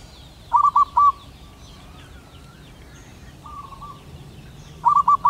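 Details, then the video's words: Wild male zebra dove of a local Indonesian strain calling to a female: two bursts of rapid, rolling cooed notes, three quick trills each, with a softer faint coo between them and distant chirping birds behind. "suara perkutut lokal alam jantan gacor memanggil betina"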